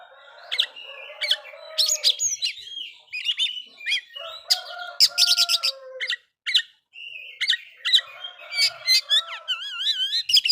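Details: Oriental magpie-robin delivering a provoking song aimed at other magpie-robins: a long, varied medley of sharp chips, clear sustained whistles and slurred notes, ending in a wavering whistled trill.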